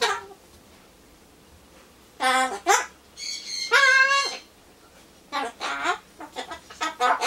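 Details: Pet Solomons corella (Ducorps's cockatoo) indoors talking to himself while waiting for pumpkin; short bursts of harmonic parrot voice with mimicked words and a rooster-like crow, separated by quiet pauses.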